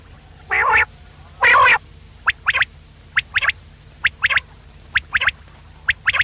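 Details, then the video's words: Quail voice played to lure birds for hunting: two loud harsh buzzy notes open, then a long series of sharp doubled and tripled clicking notes repeated about once a second against faint background hum. "Batair ka Bulara | VOL 66 | Quail Voice"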